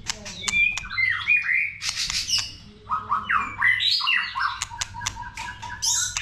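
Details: White-rumped shama pouring out varied multi-voiced song, mixing slurred whistles, harsh squawky notes and sharp ticks in quick succession; played to get other shamas singing.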